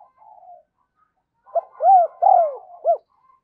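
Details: Spotted dove used as a decoy, cooing to call wild birds to it. A faint low note comes first, then a strong phrase of three or four rounded, arched coo notes.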